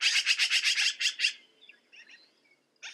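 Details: Black-billed magpie giving a rapid string of grating, raspy chatter notes that slows at the end, followed by a few faint chirps and the start of another harsh burst.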